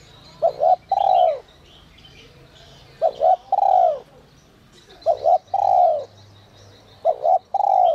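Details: Spotted dove (cu gáy) in the 'còi te te' whistle voice style, used to draw wild doves. It gives four phrases about two seconds apart: two short clipped notes, then a longer falling coo, with faint high chirps from small birds.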